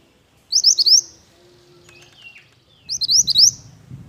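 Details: Two short pied bush chat song phrases about two seconds apart, each four rising whistled notes, with faint lower whistles and a low hum between them.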